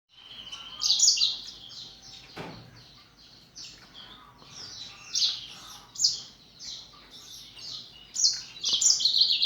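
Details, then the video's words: Captive canaries and black-throated canaries in a breeding flock, morning, during a health and breeding check; bright, high chirpy phrases in quick bursts with twittered trills, several birds overlapping. "THĂM CÁC BẠN YẾN HÓT- THẠCH YẾN BUỔI SÁNG"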